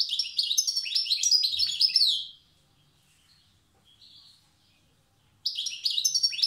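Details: Wild European goldfinch from Tiaret performing the old song style: fast, bright twittering and tinkling phrases for about two seconds, then a near-silent pause with a soft note, then the rapid twitter starts again.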